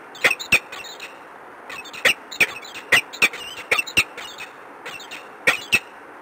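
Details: Peregrine falcon recorded in Warsaw at the Palace of Culture and Science on 13 March 2015 around 11:30: rasping, abrupt notes, often paired, repeated irregularly over six seconds against faint hum.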